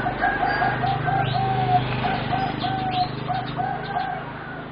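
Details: Four young competition singing zebra doves, about 3.5 to 4 months old, produce a long rippling coo: evenly spaced soft tonal notes at about three to four per second, over a low steady hum and faint higher chirps.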